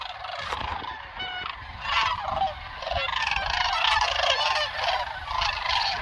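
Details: A large flock of sandhill cranes at Jasper-Pulaski Fish and Wildlife Area, 11 October 2022, calls at once: a dense, continuous chorus of rolling, trumpeting rattles that overlap and swell.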